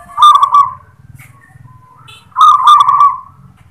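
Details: A local zebra dove sings its "klar ketek kuk" song: two loud purring, slightly falling cooing phrases about two seconds apart, with low rumbling noise underneath.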